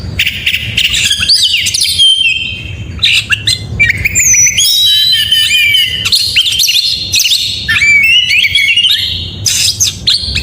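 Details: Morning song of an oriental magpie-robin, sung with full energy: rapid sequences of whistled slides, twitters and high ringing notes broken by short pauses, continuing over ten seconds.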